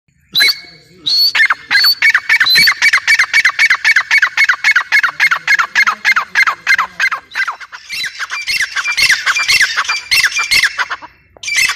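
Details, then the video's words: Grey francolin calling: a fast run of loud, harsh, ringing notes about four per second, each with a sharp rising whistle, going on for about ten seconds and growing shriller and more uneven toward the end. "teetar awaz | teetar voice | gray francoline teetar sound"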